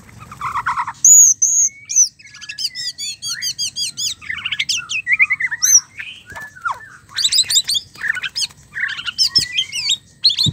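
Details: White-rumped shama mating sound, used to rouse a male into singing: a loud, rich medley of whistles, rapid repeated chirps and sharp high notes in quick bursts, with brief pauses between phrases.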